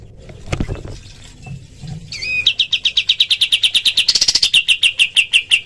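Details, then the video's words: Pied triller tembakan volley used as a tutoring recording for other birds: a few soft knocks first, then a short double whistle, followed by a long quick string of high chirps that speeds into a denser burst before slowing. "masteran kapas tembak full tembakan suara asli dan jernih"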